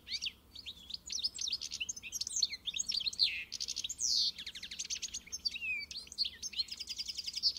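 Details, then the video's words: Continuous European goldfinch song, a dense run of high jingling twitters, buzzy notes and quick trills with hardly a pause. "melher canto do Pintassilgo encarte"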